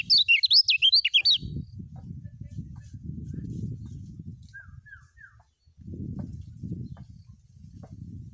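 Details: Lemon-bellied white-eye, Lombok kecial kuning, full ngejos song used for tutoring new birds: an opening rush of shrill, wavering twittering lasting over a second, then a low rumbling background with a few faint short notes.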